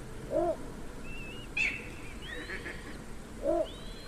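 Little bittern giving two short, low, croaking barks about three seconds apart, with thin high whistles from other birds between them.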